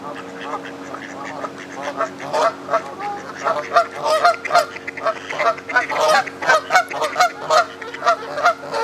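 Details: Canada geese on the South Pond at Midhurst, West Sussex, England, giving a loud, steady run of nasal honks, several birds calling over one another roughly every half second, with a constant low hum behind.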